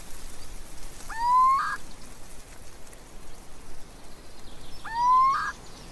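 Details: Little owl calling twice, about four seconds apart. Each call is a clear upward-sliding whistled note that ends in a brief rough burst, heard over soft background hiss.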